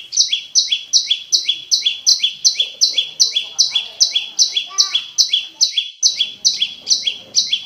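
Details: Olive-backed prinia, called prenjak lumut, singing clear long-running song meant to stimulate silent caged birds; rapid chain of high, sharply descending buzzy notes, each stepping down in two layers, repeated over twice per second.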